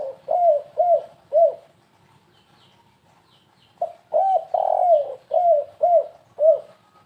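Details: Spotted dove lure call in the stuttering 'kuk3 gagap' style: two bursts of low, hollow coos, each burst a string of short bent notes followed by a longer drawn coo, with a quiet gap between bursts.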